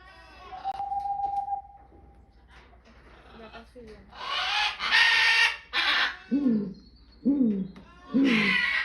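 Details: Backyard barred owl: a steady whistled tone and scattered notes, then loud hissing bursts, ending with three low, swooping hoots about a second apart, with another hiss at the end.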